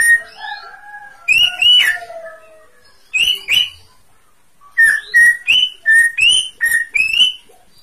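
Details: Lively greater green leafbird song of sliding whistles and buzzy phrases, then a rapid series of clear whistled notes that step up and down, repeated about three times per second, with brief clicky accents.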